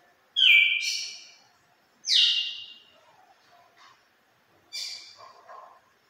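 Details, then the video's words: Red-cowled cardinal of a wild Pernambuco line singing a wild five-note style that ends in a turril, here giving three separate bright whistled notes with quiet gaps between them. "5 notas selvagens com conclusão de turril"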